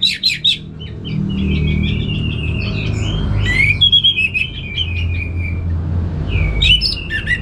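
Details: Orange-headed thrush (Geokichla citrina), apparently captive, sings straight away once a recording is played: a fast, varied run of sweet twittering and chattering phrases over a steady low rumble.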